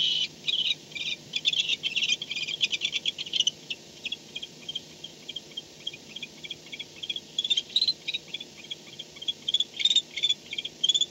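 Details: Barn owl home at the nest in the night, 4:38 am, 2-10-16; loud rattling bursts of rapid high ticks at the start, a quieter stretch, then renewed chittering runs toward the end.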